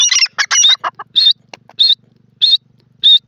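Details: Grey francolin, locally called jungli teetar, in jungle: a burst of harsh, rapid squawking notes, then loud, shrill, high ringing notes repeated about every 0.6 seconds against a quiet background.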